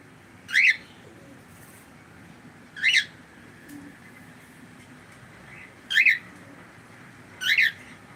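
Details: Four crisp chirping calls from a pet cockatiel, each a short bright harmonic note, spaced about two to three seconds apart over a quiet indoor background.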